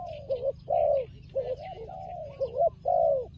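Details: Turtle dove described as a fighting dove, with hashtags on traps: a run of short, low, hoarse coos, some doubled and slightly rising, the notes packed closely together across a few seconds, with a faint background hum.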